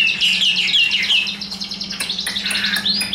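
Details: Tame, hand-carried Chinese hwamei, caged and newly acquired, not yet in full singing form, pours out rapid, varied, bright whistled phrases with quick slurred notes and sharp chips, over a steady low electrical hum.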